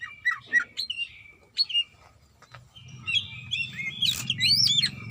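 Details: Calling female greater green leafbird seeking a male: a few separate downslurred whistles, a pause, then a denser tangle of rising and falling notes that grows louder toward the end, with a low background hum.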